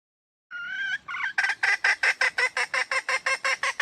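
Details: Female red junglefowl calling for a mate: two drawn, whining nasal notes lead into a rapid, steady run of about a dozen harsh, honking cackles.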